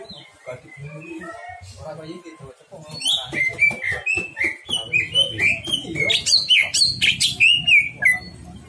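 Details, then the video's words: Greater green leafbird showing off its repertoire: soft chatter at first, then a fast, steady series of clear whistled slurs and higher chirps, about four notes a second, over faint low background noise. "pancingan c,ijo bongkar isian"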